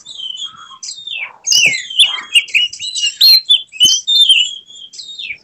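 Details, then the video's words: Oriental magpie-robin in an emotional display with its tail spread, pouring out its full repertoire: rich whistled and chattering phrases, sliding notes and sharp clicks following each other in quick, varied succession. "Kacer mana yang tak mau respons dengar kacer ini | buka ekor bongkar isian penuh gaya emosi"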